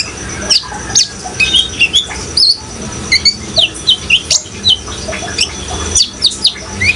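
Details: Lively sunbird song in Indonesian 'gacor' style, played as therapy to get untamed, spotted or green-plumaged young sunbirds singing: sharp, high chirps and short whistled notes in quick bursts, about two per second, over a steady hiss of background noise.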